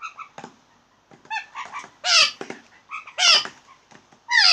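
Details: Blue jays making funny sounds: a varied string of loud calls, with nasal honking notes and harsh, slurred squawks that rise and fall, the loudest about every second.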